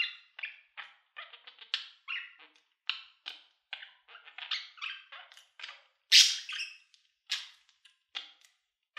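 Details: Budgerigars giving many short, clipped chirps and clicks in irregular quick succession, soft overall, with one louder harsh burst near the middle.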